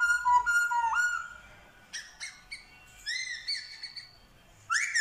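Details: A captive black-throated laughingthrush in Vietnam, trained to sing and said to mimic dogs, cats and chickens, gives loud, varied whistles and harsh rising notes in bursts, mixing clear tones with nasal, chattering phrases.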